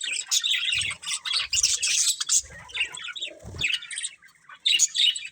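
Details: Pet budgerigars chirping: dense bursts of scratchy, buzzy warbles and high chatter, broken by brief pauses, with soft low thumps, perhaps from movement, beneath the calls.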